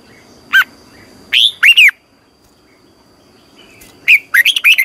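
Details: Red-whiskered bulbul singing in the morning as a lure bird for training other bulbuls to sing, in the long double twisting style (giọng kép xoắn dài): a single bright note, then a burst of quick warbled, curving notes, with faint high calls behind.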